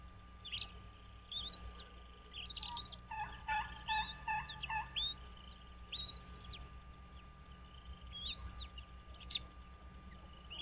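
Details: American bald eagle nest on Dale Hollow Lake, Kentucky-Tennessee state line, at dawn on 06.03.2023: scattered high arched whistles, then a quick run of about six clipped piping notes, then more separate whistles over a low hum.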